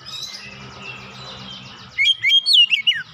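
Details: Oriental magpie-robin heated up by a rival magpie-robin: after about two seconds of faint buzzy background, a short burst of loud, clear whistled notes swooping up and down.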